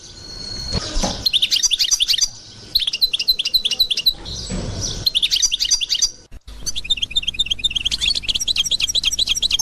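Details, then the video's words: A 2021 recording of a European goldfinch in Constantine song style, bursts of rapid high twittering and chattering notes, broken twice by brief low thumping noises and a momentary dropout. "اجمل حسون قسنطيني الاصيل"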